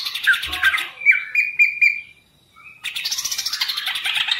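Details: Green leafbird kept in a cage gives a quick chattery burst, then several clear, level whistled notes, falls silent, and resumes with dense, rapid twittering.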